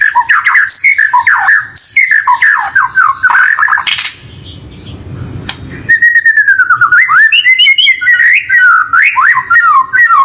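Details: White-rumped shama song played as a lure so a kept bird sings along: rich whistled phrases with quick up-and-down slides, broken by a short noisy gap, then resuming with fluty rising and falling notes.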